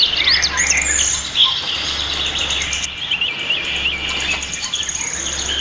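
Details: Pied fantail, locally called maria capra, at its nest in a backyard in Prenza, Marilao, Bulacan, Philippines; high chirps and squeaky twittering notes run throughout, with a steady insect-like buzz beneath.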